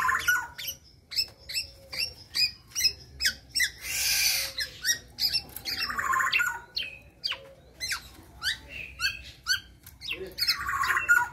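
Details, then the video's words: Young local black-naped oriole, just out of its spotted juvenile plumage, delivers rapid clicking and chipping notes with whistled accents. Two long harsh, hissing, rasping bursts break the sequence, in a quiet indoor-sounding setting. "BURUNG Kepodang Lokal lepas trotol sudah teler"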